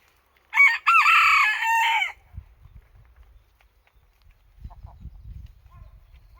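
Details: Japanese bantam (chabo) crowing: a single loud, harmonically rich crow of about one and a half seconds, rising at the start, briefly breaking midway, then holding steady before cutting off, followed by low rumbling background noise.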